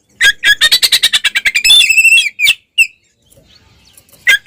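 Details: Oriental magpie-robin (kacer) in fighting song to provoke rivals: a fast train of about fifteen clicking, chattering pulses, then a sustained harsh buzzy note and a couple of sharp calls, fading to quiet.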